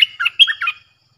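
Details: Lure song of a streak-eared bulbul used to draw in wild birds, a quick slurred run of bubbly, warbled notes lasting under a second, loud and clean.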